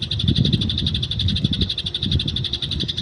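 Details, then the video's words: Eurasian tree sparrow in the wild, recorded as fighting chatter for training other birds: a continuous fast train of sharp, high chirps runs throughout over a low, rumbling wind-like noise. "masteran burung gereja di alam bebas"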